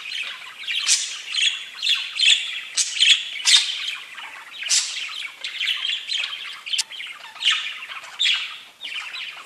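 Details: Pet budgerigars, several birds, chirping: dense, scratchy warbled chatter with bright squawky notes in bursts of about half a second, almost continuous, one bird overlapping another.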